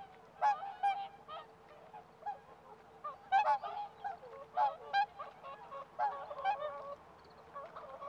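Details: Whooper swans (Cygnus cygnus) in a winter-flooded rice paddy near Kabukuri-numa wetland, Japan, give loud, brassy bugling honks, a dozen or so in eight seconds from several birds, over a steady low hum.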